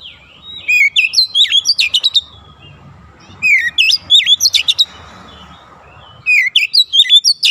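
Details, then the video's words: Oriental magpie-robin singing three quick, tightly packed bursts of varied whistles, down-slurred notes and crisp high chips, each burst about one and a half seconds long with short pauses between. Meant for training young birds. "TERAPI KACER BAHAN CEPAT NEMBAK RAPAT"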